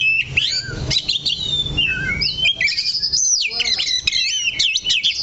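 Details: Caged oriental magpie-robin holding one position on its perch, singing rapid zigzag whistles and chattering runs, busiest in the second half, over steady low background noise.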